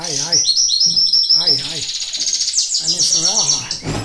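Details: Goldfinch during live training: rapid repeated high chirping notes and fast twittering trills, while a low wavering human voice or whistle runs beneath the bird at the start and again near the end.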